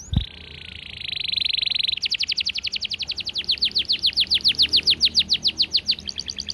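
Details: Canary in fast, tight, clear song: after a click, a buzzy unbroken trill rises in volume, then gives way to a long, even string of quickly repeated sharp notes.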